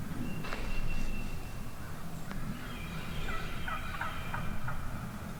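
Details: Wild turkey hens calling from within a large flock one morning in the turkey woods: scattered short yelps and clucks with a few longer tonal notes, irregular and overlapping, over a steady low rumble of background noise.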